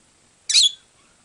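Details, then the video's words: A lovebird flock calling, recorded August 2009: a single shrill, harsh screech lasting about a quarter second, loud and high, against an otherwise quiet background. "Love Bird Flock Calling"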